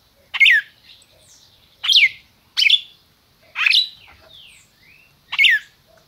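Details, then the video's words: Caged red-crested cardinal from Brazil singing 'máquina': five emphatic descending chips interleaved with faint gliding whistles, in a clean recording. "Cardeal MAQUINA chamando e cantando"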